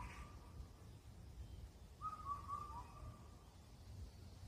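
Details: Indian cuckoo (Cuculus micropterus) on Cheonmasan mountain in Incheon, Korea, calling at the end of spring. A single faint four-note whistled phrase, falling slightly at the end, over quiet low background rumble.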